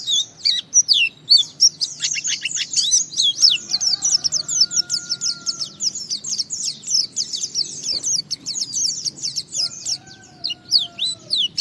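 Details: Pleci, or white-eye, in continuous gacor song used as a lure to set other white-eyes singing: a long, fast run of high, squeaky slurred chirps. A faint low steady whistle sounds midway.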